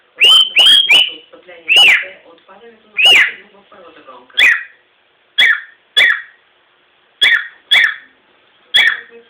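A cockatiel sings a series of loud, bright whistled notes, some sliding downward, with brief pauses between.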